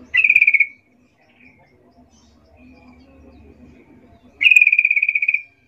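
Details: A sooty-headed bulbul gives calls that make other bulbuls answer: a short, fast rattling burst, a quiet gap with faint low sounds, then a longer rippling string of quick notes.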